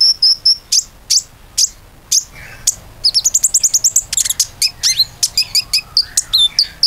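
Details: Common iora in energetic gacor song, played as a lure to coax other birds into singing: a fast string of sharp, high chirps and whistled notes, with a few lower slurred notes mid-phrase and a denser burst of rapid chips toward the end.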